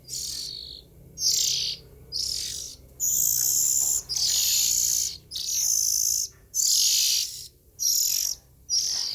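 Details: Young Oriental magpie-robin giving harsh, hissing, high-pitched raspy bursts, about eight in nine seconds, each roughly half a second long with short silent gaps between.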